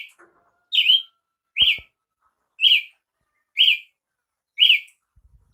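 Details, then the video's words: Brazilian tanager singing a steady series of short, bright, slurred notes, each dipping then rising, repeated about once a second with clean pauses between; a faint low knock near the start. "canto de Tiê sangue"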